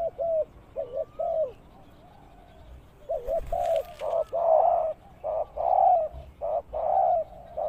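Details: Spotted dove used as a ground lure bird for trapping, giving low, mellow coos in short bursts of two to three notes, then longer runs of evenly spaced coos after a pause; a brief crackle near the middle.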